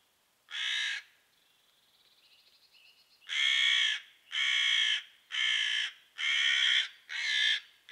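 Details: Angry crows mobbing a female pine marten in their patch, breaking twigs off the tree above and dropping them on her: six loud harsh caws, the first alone, then five in a rapid run about every 0.8 seconds, with a fainter trilling call between.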